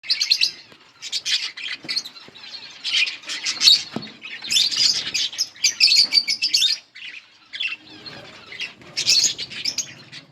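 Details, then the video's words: Several brightly coloured budgerigars chirping, a dense run of high, scratchy twitters in bursts with short pauses, one break of near quiet around the seventh second, and faint wing or cage noise beneath. "Budgies parrot beautiful colour budgies chirping sounds"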